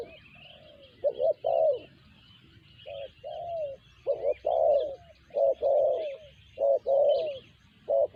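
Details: Tekukur (spotted dove) with a sanji-type call: quick clusters of low hollow coos, some notes slurring downward, repeated about once a second, accompanied by thin twittering of other birds.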